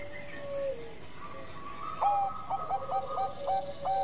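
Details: Bangkok-type zebra dove singing actively, used as a lure to prompt other doves to sing. A faint opening is followed by a burst of clear, stepped cooing: short, mid-pitched notes bouncing up and down in quick succession, with a high, thin tonal note underneath.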